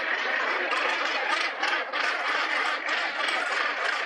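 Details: Northern gannet (Morus bassanus) colony on Bonaventure Island, Percé, Gaspésie, largest in North America, 2012: dense continuous din of harsh, grating calls from many birds, louder rasping bursts every second or so.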